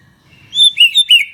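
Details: Brief burst from a white-rumped shama in vigorous 'gacor' song, played to provoke other shamas: four loud, clear, slurred whistled notes in quick succession.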